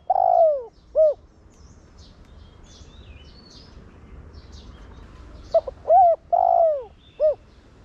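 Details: Decoy spotted dove giving its Thổ Đồng style coo to stimulate rival doves: the tail of one phrase, a quiet gap with faint chirping of other birds, then a complete phrase of short notes, a long sliding coo and a brief final coo.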